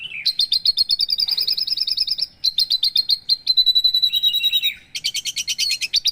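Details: Javan bush lark song opens with a drooping note, runs into quick repeated chirps and a thin buzzy stretch, then finishes in a burst of very fast, dense trilling.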